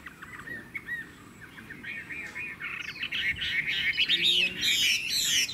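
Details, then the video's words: Chinese hwamei, said to have a beautiful voice and strong song, begins with soft repeated notes and builds into a loud, rushing series of whistles and buzzy trills. "Họa mi hót hét tốt - Giọng hay bóng bộ đẹp"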